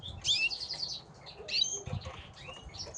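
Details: Squabbling Gloster canaries give sharp, buzzy high chirps in two loud bursts, followed by thinner tweets and a rising note, with fluttering wings and low rustling underneath.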